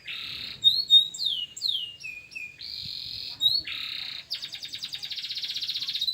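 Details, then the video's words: Local canary song used as masteran: buzzy bands and descending slurred whistles give way to a long, steadily pulsing rattling trill. "Masteran Burung Kenari Di Jamin Gacor"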